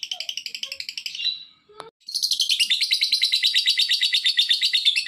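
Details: Lovebird call used to provoke other lovebirds into calling: high, shrill chirps repeated about three times a second, then a brief pause, then a denser, continuous shrill chatter of rapid pulsed notes.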